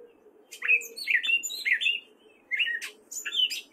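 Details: Male gray catbird in spring song, Fairfield, Iowa, wary of people: short squeaky phrases with downslurred and upswept notes, delivered in two bursts separated by a brief half-second gap.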